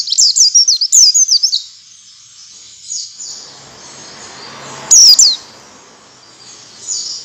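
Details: Oriental white-eye song meant to make other white-eyes sing: an opening burst of fast high chattering downslurred notes, then a quieter pause with low broadband rustle and one more sharp high whistle.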